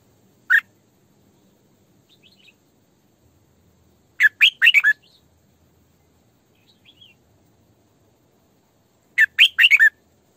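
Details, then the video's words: Female Red-whiskered bulbul kept as a decoy bird, singing in the sổ bọng căng style, used to train bulbuls to sing and to lure them: three bursts of quick, bright warbled notes, separated by long quiet gaps. "Tiếng Chim Chào Mào Mồi Hót Sổ Bọng Căng"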